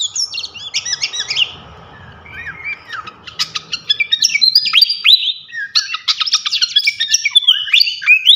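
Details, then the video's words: Lively flycatcher song used as masteran tutoring for champion birds: bursts of high, quick chirps and short descending whistles, a brief quieter pause with soft rustling, then a longer run of rapid twittering. "masteran asah mental burung jawara khas srikatan kipas"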